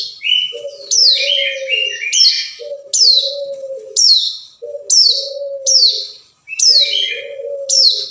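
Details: Hill prinia calling a rival, used as a lure: brisk high sweeping notes about once a second mixed with chattering lower phrases, over repeated stretches of low humming tone.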